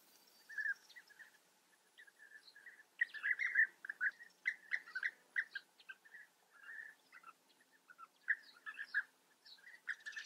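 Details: European bee-eaters at a colony in the Eifel, Germany: soft purring trilled calls given singly and in clusters, some louder bursts, over a quiet background.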